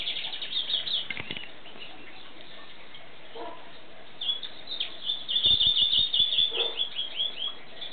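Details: Song of a European greenfinch: rapid twittering trills near the top of the range, a longer rolling trill in the second half, scattered clicks and handling knocks, and steady background hiss.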